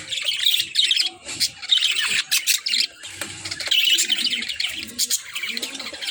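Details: Budgerigars chirping nonstop in a busy flock chatter of bright, high warbles, clicks and short squeaky notes, loudest in bursts with brief dips between them.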